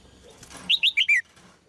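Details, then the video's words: A single quick phrase from a singing female Red-whiskered bulbul: four clear, slurred whistles, the last one dropping lower. Faint rustling comes before it. "นกหัวจุก birds - เสียงนกร้องตัวเมีย ร้องได้ไพเราะมาก ตัวผู้ร้องแรง"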